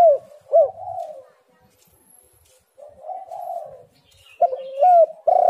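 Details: Spotted dove lure coos: two arched notes and a soft rolling coo, a quiet gap, another gentle coo, then loud emphatic notes at the end.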